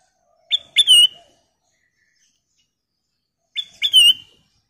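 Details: Sooty-headed bulbul calls used as a lure to draw other birds into singing: two identical short phrases, each a sharp note followed by a bright falling whistle, about three seconds apart, with silence between.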